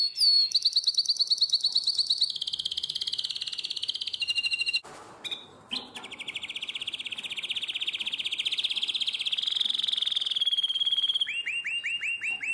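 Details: A nightingale-voiced canary, recorded in Drama in 2017, sings a long, high, continuous song of rapid trills and rolling tours, shifting between fast chirping runs and sustained buzzy rolls.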